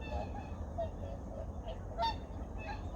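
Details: Various migratory birds at dawn on Junam Reservoir, Changwon, 2019, giving soft repeated honking notes, one louder harsh call mid-way, against a continuous low hum.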